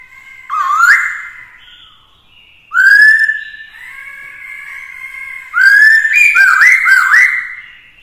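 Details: Black-throated laughingthrush caged with a female and singing to spur rivals: loud upslurred whistles separated by long level tones, ending in a rapid tumbling series of whistled and harsh notes. The setting is quiet.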